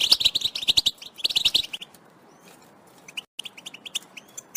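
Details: European goldfinch batbata, described as mating and readiness calls that prompt males to sing. A loud burst of rapid twittering gives way to silence, then softer spaced chirps and a thin rising whistle.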